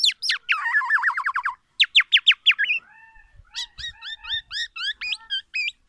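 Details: Black-naped oriole imitating oriental magpie-robin, a challenge song aimed at other orioles: rapid slurred trill, loud separate whistles, a soft steady note, then a regular series of bright two-pitched chirps.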